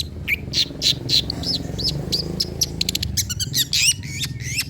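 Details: Long-tailed shrike song played to encourage birds to sing. Quick chirps and short whistled notes run in an uneven series, speeding into rapid ticks before rising slurred whistles, over steady low background noise.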